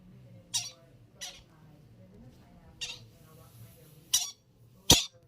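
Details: Baby yellow-sided conures at play give five sharp, brief, scratchy squawks spaced a second or so apart, the last loudest, with a faint low hum behind.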